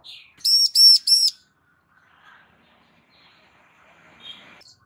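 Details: Bar-winged prinia female summoning a male to answer, giving a quick run of three strong, shrill, high notes, followed by several seconds of near silence with faint distant chirps.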